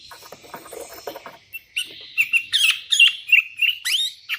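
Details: Sooty-headed bulbul in lively voice calling rivals, with wild birds responding: soft rattling chatter at first, then a quickening series of bright bubbly whistled notes.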